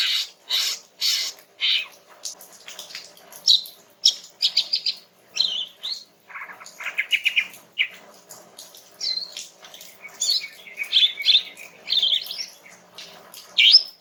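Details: A female greater green leafbird sings calmly to coax a young male into answering, giving loud chirps at first, then a long varied chatter of quick twittering notes and whistled phrases that continues for fourteen seconds.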